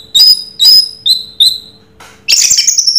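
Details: Short Raja Teler passage from an orange-headed thrush (Anis Merah): four piercing downslurred whistles, then a loud harsh rasping burst, over faint hum.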